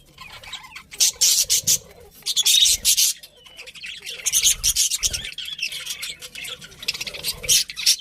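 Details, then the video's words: Budgerigars chirping: bursts of harsh, scratchy high chatter, each lasting about a second, broken by short quieter gaps. "Cute Birds Chirping Sounds #Beautiful Budgies"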